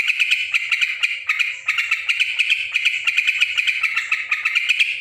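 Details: Yellow-vented bulbul, described as noisy, giving dense, rapid chattering: harsh, buzzy notes packed almost without pause, pulsing several times a second at a steady mid-high pitch; no other sounds stand out.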